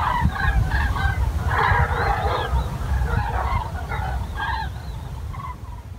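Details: Common cranes near Wiesbaden-Auringen, with rapid, loosely spaced honking and trumpeting calls, about three per second, from several birds, fading slightly toward the end, above low background rumble.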